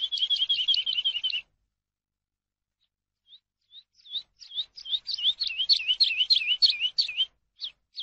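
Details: Eurasian skylark song for teaching captive birds. A rapid, wavering high roll stops abruptly, faint single chirps follow, then a lively, jumbled series of swooping high notes builds up again. Recording is clean.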